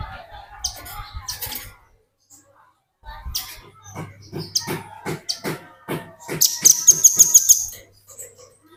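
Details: Velvet-fronted nuthatch singing energetically as a lure for training other birds: rhythmic high chips and clicks building up, ending in a quick, even trill of piercing repeated notes.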